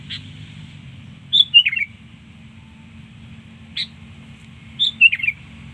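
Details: Sooty-headed bulbul song, used to lure birds: short bubbly phrases of a few quick, slurred, fluty notes, about three seconds apart, with a faint steady low hum behind.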